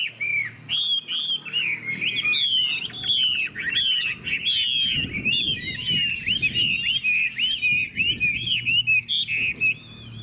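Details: Loud, varied song of a Chinese hwamei praised for strong singing: clear ringing whistles, rising and falling slurs in quick succession, broken by brief pauses, over a faint low hum.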